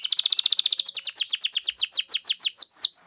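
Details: Canary song for luring a pet canary into 'gacor' singing: a fast series of high, downward-sliding notes that gradually slows from about eight to three per second, ending in a long falling whistle.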